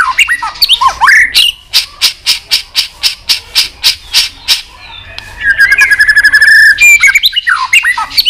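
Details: White-rumped shama clicking and singing in competition. A steady series of sharp clicks, about three a second, is followed by a fast rattling trill and then twisting whistled notes.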